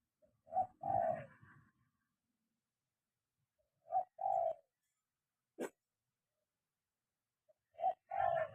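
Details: Zebra dove being trained to call on the ground: three short cooing phrases spaced about three to four seconds apart, each a brief note followed by a longer purring coo, with a sharp click between.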